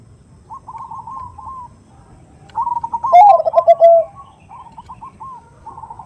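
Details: Female zebra dove (perkutut) calling a male, played as a lure to prompt replies: a loud burst of rapid staccato coos at about 3–4 seconds that drop in pitch. Softer trilled cooing from other doves runs throughout.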